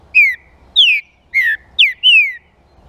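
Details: Five-note whistled phrase of a green-winged saltator, a song used to stimulate other saltators; each note slurs downward, the fourth short and steep, the fifth long, with soft low rumble beneath.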